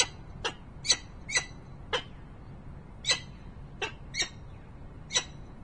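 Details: Peregrine falcon at the nest, Harrisburg, Pennsylvania, November 2020: brief grating notes, singly and in quick pairs, at uneven intervals of roughly half a second to a second, over a faint hum.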